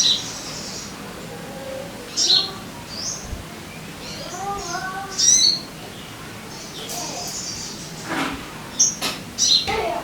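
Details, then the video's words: Sogon singing as a lure for caged birds: piercing high chirps, single and doubled, spread irregularly, with fainter lower warbling notes between them. "Pancingan Suara Burung Sogon Biar Cepat Gacor"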